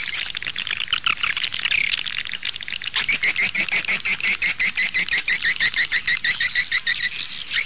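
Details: Swiftlet calls played back to lure birds to nest houses: dense, rapid chirping and twittering, fast repeated clicks and buzzy notes running continuously at high pitch.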